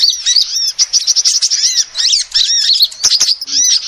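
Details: Female sunbird calls used to lure birds: hurried, squeaky chirps and rising-falling whistled notes, densely packed and repeated throughout the four seconds.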